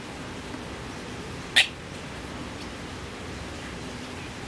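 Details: A Eurasian coot swimming on a lake or pond near Melbourne, Victoria, Australia, gives a single sharp, explosive call, brief and high, over steady background hiss.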